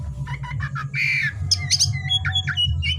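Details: Oriental magpie-robin singing actively after dark, with short chattering notes, then a harsh rasp, followed by whistled trills and clear notes, over a low hum.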